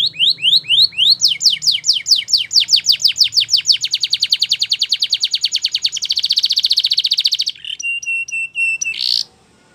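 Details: Belgian canary training song for young canaries: descending sweeping notes that quicken into a long fast trill, blurring into a dense rolling buzz, followed by steady clipped whistles and a closing buzzy note, faint low hum early on.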